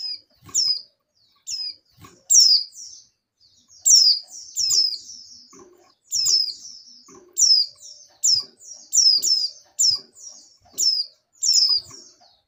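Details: Breeding female oriental white-eye calling the male with a steady series of piercing, down-slurred tweets, often doubled or tripled, repeated about every half second to second, with faint low taps in the background.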